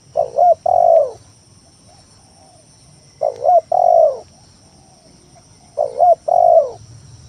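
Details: A spotted dove's lure song, used to goad rivals and lazy birds into calling: three evenly spaced phrases of a stammered two-part coo and a sustained, dropping hollow note.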